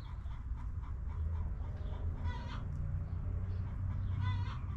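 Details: Backyard hens in their coop, calling and relaxing: two short harmonic squawk-like clucks around two and four seconds over a steady low rumble of background noise.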